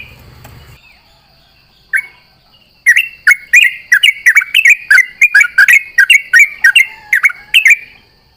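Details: After a lone chirp, a sooty-headed bulbul at dawn bursts into rapid ropel song, answering companions from the morning dew: a lively sequence of quick, bright, slurred notes lasting about five seconds.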